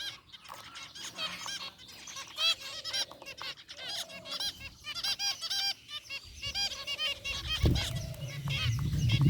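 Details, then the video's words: Caged zebra finch group, including a rare white one, relaxing and chirping: bursts of honking nasal beeps in quick series, then a deeper rumbling thud near the end. "Cute Zebra Finches in Aviary | Relaxing Bird Chirping Sounds"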